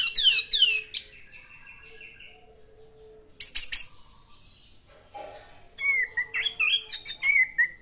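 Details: Vigorous classic-style song of the orange-headed thrush: a harsh scratchy burst, a pause, another loud rasping phrase, then a long run of varied whistled and slurred notes delivered rapidly.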